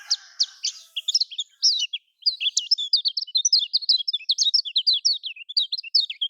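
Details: Lemon-bellied white-eye from Lombok, its song serving as a lure for reluctant caged birds. After a short break, a dense, continuous stream of quick, high chirps and zigzagging whistled notes follows.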